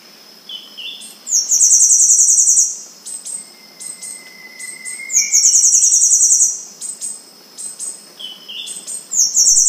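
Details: Temminck's seedeater (Sporophila falcirostris) singing very high, thin, buzzy phrases that sound almost like an insect.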